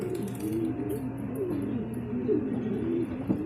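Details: Several racing pigeons coo together at a loft in Guiguinto, Bulacan, following a second truck training release. Soft, low, wavering coos rise and fall in repeated phrases, with a faint background hum.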